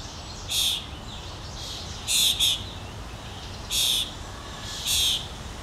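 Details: A common starling fledgling on a lawn in Helsinki, Finland, in June 2013, begs for food from its parent with harsh, raspy, hissing calls, five in under six seconds, one doubled, over a steady low background rumble.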